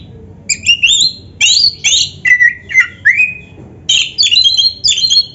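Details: Actively singing Indonesian oriental magpie-robin with a dense filled song: short bursts of high chirps and slurred whistles, separated by short gaps, in three groups.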